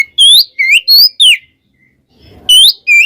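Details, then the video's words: Oriental magpie-robin, called kacer, song used to provoke other magpie-robins; loud whistled phrases sliding up and down, in short bursts separated by a pause, ending with two more notes. "suara burung Kacer kembar bikin Kacer lain kepancing EMOSInya"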